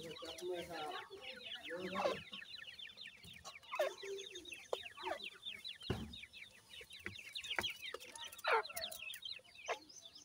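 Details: Grey francolin family of adult and chicks in their natural habitat: ten seconds of nonstop high, descending cheeping from many chicks, broken by low clucks and sharp thumps.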